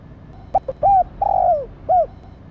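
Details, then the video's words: Calling female spotted dove, stimulating the male: brief double note, then an arched coo, a drawn-out descending coo, and a last short curved coo, mellow and tonal with faint low rumble behind. "cu mái kích trống nhạy bén"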